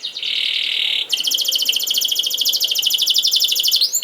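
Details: Canary song meant for training young canaries: a flat, continuous buzz for about a second, then a long, rapid, pulsing rolled trill of high notes ending in a quick rising chirp.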